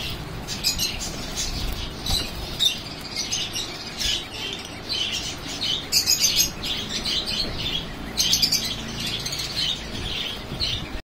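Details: A breeding pair of lutino Star finches calls with high, thin chirps and tweets in quick, irregular bursts, over soft rustling and a faint low background hum.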